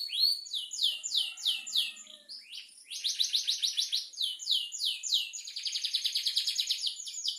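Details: Canary song made of fast repeated downward-sweeping notes in changing phrases, followed by a dense rolling trill.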